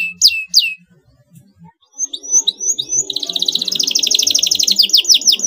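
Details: Canary song used as a lure to provoke a rival to answer: two sharp downward sweeps, a pause, then a run of rising notes building into a fast, dense rolling trill with looping slurs at the end.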